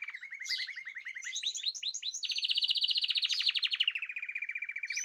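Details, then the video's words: Group song from birds kept in cages, 14 March 2026: a quick run of repeated chirps leads into a rapid buzzy trill that slowly drops in pitch, bright and high throughout. "تغريد جماعي للطيور"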